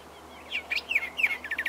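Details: Greyish saltator singing near Esperanza, Santa Fe, Argentina, in 2023: a short melodious phrase of clear slurred whistles, several rising and falling notes in quick succession.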